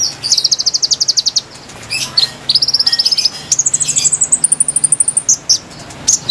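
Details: A konin sings to lure wild konin: fast high rattling trills of evenly repeated notes, each burst pitched higher than the last, over a faint steady low hum.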